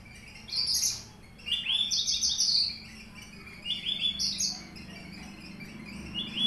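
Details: Caged Papuan Horsfield's bush lark, race aliena, with finch-learned phrases, gives separated bursts of high buzzy rattles and short trills, with quiet gaps between phrases and a soft background murmur.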